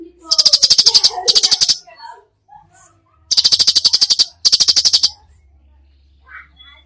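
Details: Lively cucak cungkok in full 'tembakan' song, used as a tutor recording: three dense bursts of fast harsh ticking, about four ticks per second, separated by short pauses with faint soft chirps.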